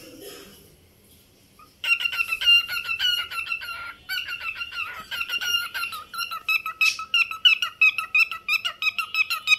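A cockatiel sings a rapid run of bright, chirpy whistles and squeaky notes.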